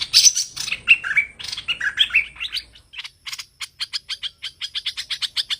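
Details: Hoành hoạch bird calls used as a trapping lure: a burst of varied, sweeping chirps, then a run of short, sharp, high ticks repeated about three times a second, with no other sounds.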